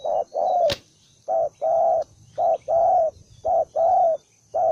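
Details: A single aggressive spotted dove, newly caught, repeats paired coos, a short note followed by a longer one, in an even rhythm of about one pair per second, with one sharp click early on.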